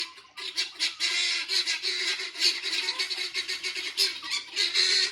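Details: Helmeted guineafowl calling from a tree in the morning: harsh, grating, rapidly repeated notes running on without a break.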